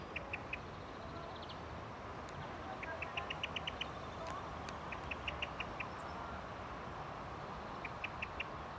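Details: Common blackbird in Ljubljana Botanical Garden, Slovenia, on 6 May 2024, gives short, sharp ticking calls in quick runs of three to six, repeated every second or two, over a steady roar of distant traffic.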